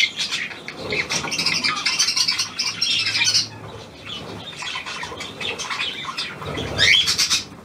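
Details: New hand-tame Australian pied budgerigar on 17 February 2023 chattering in a long scratchy warble, a quieter stretch of scattered chirps, then a loud rising squawky flourish near the end.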